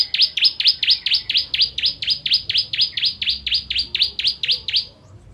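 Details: A Bar-winged prinia (Prinia familiaris), the "kristal" variety, delivers a fast, steady string of high, sharp down-slurred notes, about four each second, over a faint background hum.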